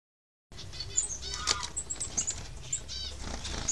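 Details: Two white-headed munias and one hybrid white-capped munia x society finch give thin, very high, short peeping notes in quick scattered succession, with soft fluttering and rustling in the background.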